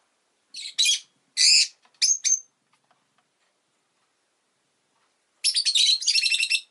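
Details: Pet rosy-faced lovebird chirping: harsh, buzzy bursts of chatter in short clusters, a silent gap of a few seconds, then a longer rapid series of shrill chirps.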